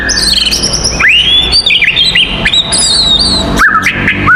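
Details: Fighting song of an oriental magpie-robin, used to provoke others, with a long rising whistle, a string of varied sweet notes and twists, then a low drop and short falling whistle at the end.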